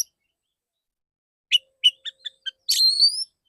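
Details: Male white-rumped shama with a clear open voice: five quick staccato chirps in a stuttering run, then a loud buzzy burst sliding into a long bright whistled note.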